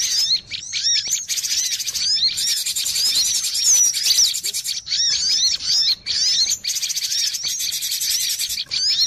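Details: Noisy lure call of the cinereous tit, played to attract birds for trapping: a crowded stream of bright chirps, rising slurs and rapid ticking notes, high-pitched, in bursts separated by short breaks.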